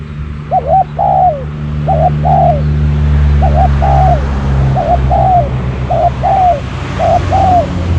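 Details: Decoy spotted dove luring wild doves repeats a two-part coo, a short note then a longer falling croon, about six times in steady succession over constant low droning noise.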